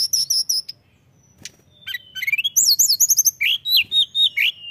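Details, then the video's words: Mountain tailorbird in lively song: a burst of high piercing notes, a brief pause, then rising and falling whistled slurs and quick sharp chips delivered in fast succession. "tledekan gunung gacor bikin emosi dan langsung bunyi"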